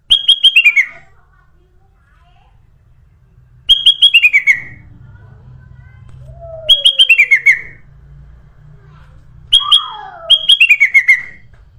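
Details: Ruby-throated bulbul lure song for attracting birds: a bright phrase falling in steps, repeated roughly every three seconds, with a faint lower slurred note between phrases and a quiet background.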